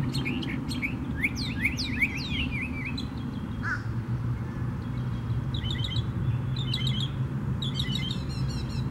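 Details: Northern mockingbird singing at Tattnall Square Park on May 11, 2015: a run of steep downslurred whistles, a brief lower note, then clusters of high buzzy repeated notes, under steady low rumble.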